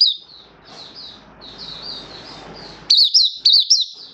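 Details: Oriental white-eye song display: soft high warbling over a steady low rumble, then a short run of loud, sharp chirps.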